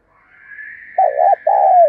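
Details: Caged decoy spotted dove in a heated cooing bout: a wavering double coo followed by a drawn-out, slightly falling note, over a steady thin higher tone running throughout.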